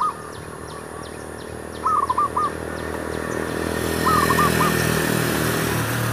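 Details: Zebra dove heard while wild doves are lured for trapping: two brief phrases of rapid, clipped coos a couple of seconds apart, with ticking insects at first and a passing engine growing louder toward the end.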